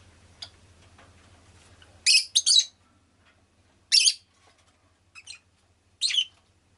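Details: Pet rosy-faced lovebird uttering loud raspy screeches, a double note then single and paired chirps every couple of seconds, with faint soft twitters and a low hum early on.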